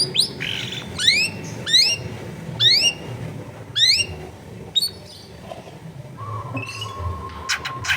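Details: Long-tailed shrike in a densely populated neighbourhood repeating a sharply rising whistled note roughly every half second, then pausing before a steady low hum and a few clicks.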